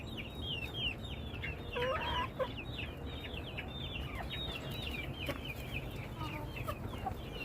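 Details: A flock of chickens calling together: many short, high, downslurred chirps and clucks overlapping, with a louder squawk near two seconds, against steady low background noise and a brief human voice.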